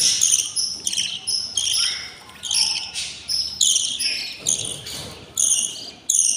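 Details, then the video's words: Six budgie chicks in their parents' nest, twenty days old and very hungry, beg with piercing, rasping shrieks in choppy bursts, pauses of a fraction of a second between them. "couple budgies nest, 06 eggs , 06 eggs hatched, and 06 beautiful chicks are very hungry / day 20"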